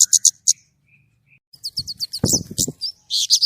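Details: White-rumped shama with clear, high, rapid chirps and whistles, broken by a brief burst of low clattering noise in the middle.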